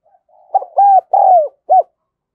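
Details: Spotted dove kept as a decoy, voice style called 'đồng son', cooing to attract other doves. One four-note phrase: a short opening coo, two drawn-out arching coos, and a short final note, after a faint murmur.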